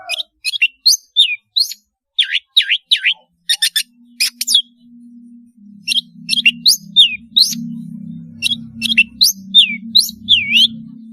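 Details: Long-tailed shrike song offered as a tutor for juveniles learning sounds. Quick clusters of whistled, swooping notes that dip and rise, repeated in short groups. A low steady hum enters midway.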